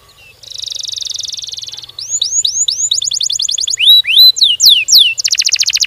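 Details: Fast, dense canary song used to prompt other canaries to sing: a buzzy rattling trill, then a series of upslurred and downslurred whistles and quick rolls, switching phrases every second or so.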